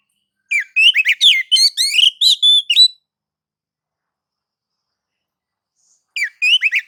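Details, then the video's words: Song of a white-rumped shama played to make other shamas sing: a dense two-and-a-half-second flurry of rich whistles and slurs ending on a steady note, then silence before a new phrase begins. "kicau kacer mode nagan dan ngobra"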